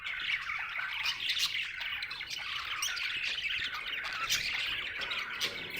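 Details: Happy budgie chirping: steady, dense high chatter made of rapid squeaky twitters and scratchy notes that run without a break for the whole stretch.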